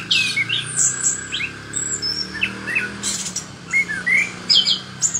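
Chestnut-capped thrush in lively song: quick bursts of high, varied whistles and chirps, some rising and some falling, over a faint low hum.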